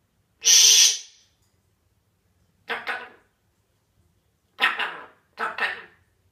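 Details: A Gabon grey parrot aiming at the cat gives one loud, shrill screech, then three clipped, raspy speech-like syllables copying the rude French phrase "ferme ta gueule", spaced about a second apart.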